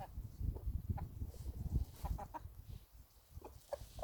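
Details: Chickens giving scattered short clucks, fainter and spaced unevenly, against a low humming background.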